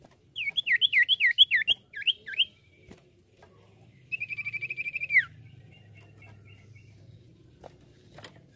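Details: A common iora gives a quick run of about a dozen bright, looping whistles, then a steady buzzy trill ending in a sharp downward slur; the song is played as a lure to draw ioras.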